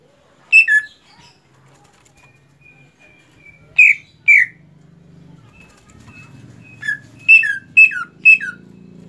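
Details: A greater green leafbird just finished moulting gives loud, bright notes that slide downward, mostly in quick pairs with pauses between, over a thin steady whistle and low hum.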